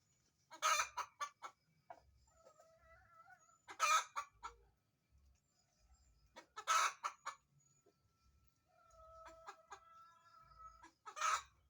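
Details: Hen's egg-laying cackle: loud harsh squawks about every three seconds, each followed by a few clucks, with softer drawn-out whining notes between bursts.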